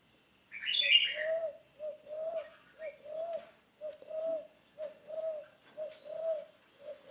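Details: Spotted dove, a decoy bird being trained, giving a long steady series of short, soft coo notes repeated roughly every half second, opened by a brief higher chirp from another bird.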